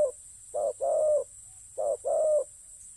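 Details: Spotted dove serving as a ground decoy repeats a mellow call. A short coo is followed by a long, level croo, heard twice with a clear gap between phrases over a faint background hiss.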